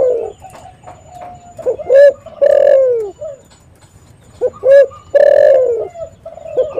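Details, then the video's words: Spotted dove used to lure and call others, cooing in two phrases. Each phrase is a quick short coo followed by a long, loud, downward-bending coo, about three seconds apart. Fainter dove voices murmur between phrases. "SUARA BURUNG TEKUKUR ini JAGO MEMANGGIL untuk PANCINGAN & PIKAT"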